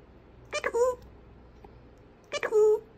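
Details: A big pet parrot talking, saying peekaboo: two short nasal, speech-like phrases with harmonic ends, about two seconds apart, indoors and otherwise quiet.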